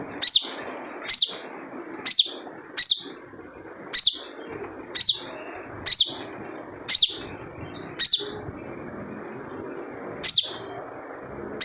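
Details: Wild spiderhunter repeating its 'jrejet cuit' lure call: bright, high downslurred chirps, sometimes doubled, at a steady pace of nearly one a second over about ten seconds, with low background noise.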